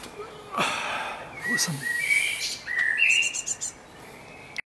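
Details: Great tit in a garden on 11 May 2014, giving thin, clear whistled notes at a fairly high pitch, a few short slurred tones spread across the clip, with broadband rustling bursts near the start and middle.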